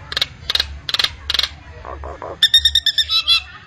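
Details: Common myna (jalak nias) in full varied song: four harsh, buzzy bursts, then lower rasping notes, then a quick string of sharp whistled notes.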